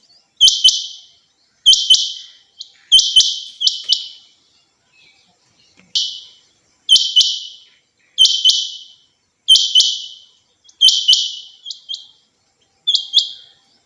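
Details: Female rain quail (chinga batair), kept as a hobby bird, giving high, harsh, rasping bursts, often in pairs, repeated about every one to two seconds, with faint clicks between and no other clear sounds.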